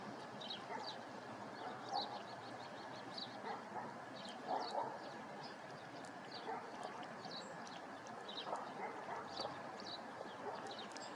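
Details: Dunlin (Calidris alpina), call.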